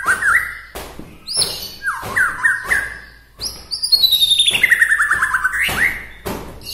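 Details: A local White-rumped shama from Bahorok, Medan, whose song is said to rouse other shamas, gives rich swooping whistled phrases, then a fast descending run of about a dozen bright notes, broken by sharp knocking sounds.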